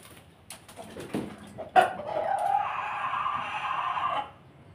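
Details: Bangkok and pelung rooster breeds kept together; after a few clicks and knocks, one long drawn-out crow rises and holds steady for about two and a half seconds, then stops abruptly, with faint background noise.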